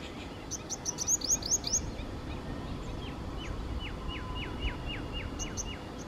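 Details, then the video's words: Purple sunbird giving a quick burst of thin, high chirps, then a run of about ten sharp, down-slurred notes; steady low rumble underneath. "Purple sun bird call"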